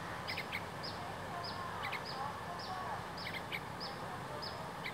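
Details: Juvenile yellow-vented bulbul calling loudly even as the recordist approaches: short, high, downslurred notes about twice a second, with faint lower whistles from other birds and a steady background hiss.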